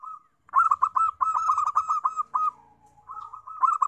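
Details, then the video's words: Zebra dove singing to lure wild doves: a long trilled string of rapid, bubbling coo notes at one steady pitch, a short lower pause, then another rolling run. "PIKAT PERKUTUT PALING JOSS"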